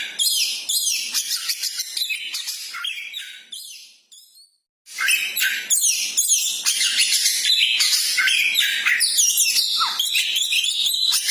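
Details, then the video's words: Champion-minded magpie-robin singing: rapid chattering and whistled phrases for about four seconds, a short silent break, then the same dense, energetic song resumes and continues to the end. "Burung Koci mental jawara sangat cocok untuk dongkrak emosi burung koci anda"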